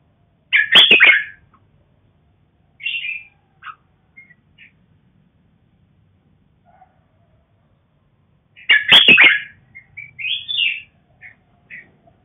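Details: Farm-bred red-whiskered bulbul (black-crested male) with a female: two loud, harsh chattering bursts about eight seconds apart, each followed by short bright chirps and whistled notes.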